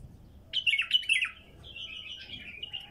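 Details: Wild female bulbul singing: a burst of quick, sharp chirps and twittering notes around mid-to-high pitch, followed by a softer, trailing warbled phrase, with a faint low background hum.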